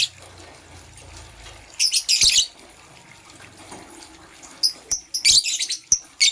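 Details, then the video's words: Green and blue lovebirds in the morning give loud, harsh, high chirp bursts, one longer cluster early and a jumbled run of rapid chirps toward the end, with a quiet stretch between. "Green LoveBird Chirping Sound"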